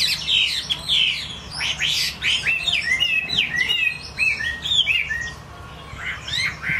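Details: A vigorous Chinese hwamei song: loud, ringing notes that plunge and leap, packed into fast, varied phrases, easing briefly before a final strong burst.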